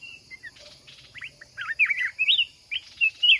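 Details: Mountain red-whiskered bulbul at a trap for a fighting contest, lured by a decoy kept caged for a month: short chirps, then loud rising and falling whistled phrases of three to four notes, growing louder toward the end.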